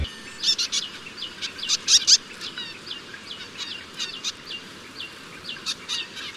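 Black-throated Munia giving thin, high-pitched chirps and short squeaky notes in quick irregular bursts, with a faint low background hum.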